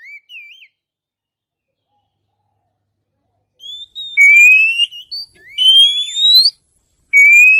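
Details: Oriental magpie-robin song played as a lure for birds: a brief wavering whistle, silence, then long loud rising whistles repeated at uneven intervals.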